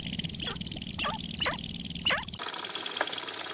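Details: Dancing sharp-tailed grouse at Wainwright, Alberta, in 2015: several short calls that bend sharply downward in hooked loops, with scattered clicks and a steady high hiss behind them. The calls stop after about two and a half seconds.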